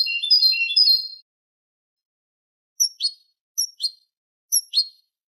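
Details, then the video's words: Eurasian goldfinch tutor song for young goldfinches and hybrids, "Manolo" style from Malaga: a short bright twitter, silence, then three separate paired chirps at about one-second intervals. No other sounds. "شريط كوبية ملقا (Manolo) original لتلقين فراخ الحسون والهجين"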